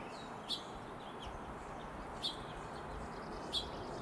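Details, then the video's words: Hummingbird singing a courtship song from a treetop in the Sierra foothills of California, USA: three short, sharp, high chips about 1.5 seconds apart over a steady background hiss. "ハチドリ の鳴き声"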